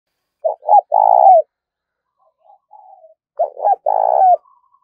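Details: Spotted dove used as a decoy, a 'four-note' bird calling to lure wild doves: two short low coos, then a long, even, humming coo that drops at the end. The phrase comes twice, with faint softer notes between.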